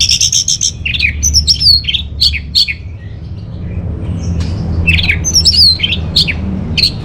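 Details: Caged-bird lure and master song of the Orange-headed thrush, Singaraja, Bali: quick stuttered notes, then repeated sweeping downslurred whistles and buzzy notes in two busy bursts separated by a brief lull, with a persistent low hum beneath.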